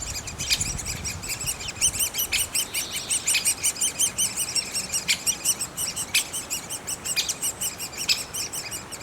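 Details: Nest of great spotted woodpeckers with young: a long run of shrill, ringing squeaks in quick pulses, loose in rhythm, with occasional sharp clicks between them.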